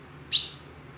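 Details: Female ultramarine grosbeak, ten years old, from Brazil's northeastern Sertão, calling as a teacher to warm up males; a single abrupt, bright high-pitched chip that fades quickly, with a quiet background hum.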